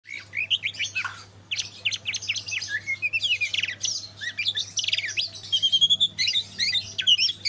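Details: Young white-rumped shama, eight months old, kept as a cage bird, singing a rich, varied run of sharp whistles, quick chirps and trills, each phrase brief and closely packed, with a few pure drawn-out notes near the end.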